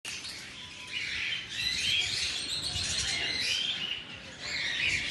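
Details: Albino red-eyed cockatiels greeting the morning: a continuous dense chatter of overlapping high chirps and twitters from several birds, with no single call standing out, rising again toward the end.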